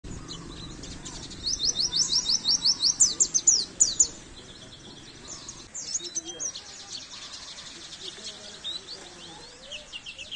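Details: Oriental white-eye song on a masteran training recording for caged birds: bursts of very high, rapid twittering and chattering notes, loudest in a dense run around two to four seconds, then thinner trills over a faint background hum.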